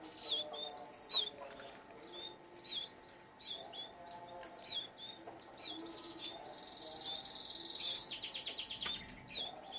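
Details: Captive canaries sing a varied song of high slurred whistles and chirps. It builds to a sustained buzzy note, followed by a fast, evenly pulsed trill near the end.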